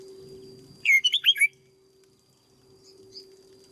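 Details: Cage-trained red-whiskered bulbul delivering one quick burst of four or five loud liquid whistles, with soft fluttering before and faint high chirps after.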